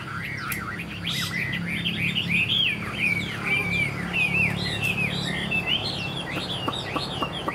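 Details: A wild-caught Chinese hwamei taken this year, still in wild plumage, about 80% tame, sings a rich, continuous run of loud rising and falling whistled phrases, varied and fast, over a low steady background hum.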